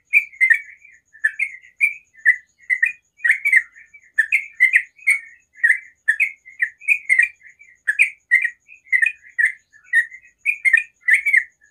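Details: Sooty-headed bulbul singing in the morning, a long continuous chatter of rapid bright notes repeated without pause, with a thin steady high tone underneath.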